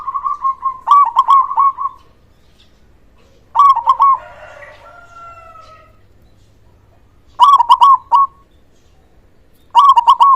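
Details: Loud local zebra dove, played to encourage silent doves to sing. Repeated stuttering coo phrases, each a quick burst of clipped notes and a sustained final coo. Between phrases a rooster crows faintly in the background.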